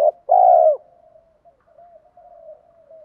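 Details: Spotted dove lure call: a short clipped note, then a full, rough coo trailing off into a long, soft, wavering murmur.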